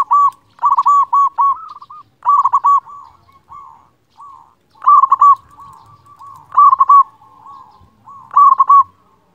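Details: Loud-voiced local zebra dove singing a master song to rouse silent birds. Quick bursts of four or five mellow, bubbling coos come roughly every two seconds. Softer trailing notes link the phrases, and the background is quiet.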